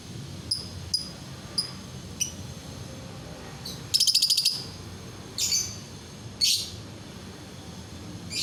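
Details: Lovebird calls meant to set other lovebirds singing: spaced sharp high ticks roughly every half second, then a fast rattling trill of rapid pulses, followed by two harsh buzzy chirps a second apart, with faint low background noise.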